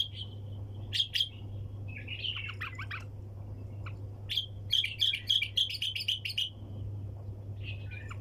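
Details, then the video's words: Bulbul singing the 'hunter' style (tor sayyad) with wing tapping: loud clicks, short warbled phrases, then a rapid regular string of sharp ticking notes, ending in a brief twitter; steady low hum in the background. "احلى طك جناح بلبل طور صياد بدون توقف"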